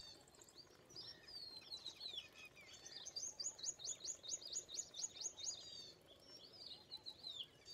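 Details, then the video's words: Indian pied myna (Gracupica contra) giving a busy, chattering run of high whistles and squeaky notes, with a fast burst of repeated chirps in the middle. "Indian Pied Myna (Gracupica contra) ! Myna Species: Pied Myna Bird"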